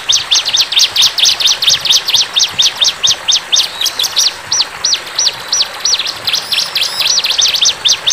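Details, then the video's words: Bar-winged prinia in the wild, singing a rapid, steady series of high, arched chirped notes, about one and a half per second, briefly slowing midway before speeding up again. "CIBLEK GACOR"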